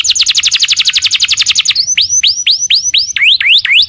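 A canary's rapid, high trill of about twenty even notes, then a run of bright rising whistled slurs repeated about three times a second.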